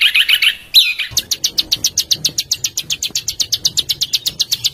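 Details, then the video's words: Small cage songbird in a master recording for training caged and contest birds, harsh 'besetan kasar' style. A few rough, buzzy notes come first, then a fast run of sharp, high chirps, about six per second, steady to the end. "Suara Masteran Burcil Besetan Kasar"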